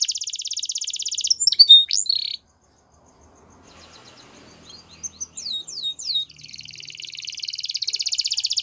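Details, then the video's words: Singing canaries: a dense, fast buzzy trill at first, then a few sharp sweeping notes, a near-silent pause of about two seconds, and a rising run of quick slurred notes leading into a long rolling trill. "Canaries Singing"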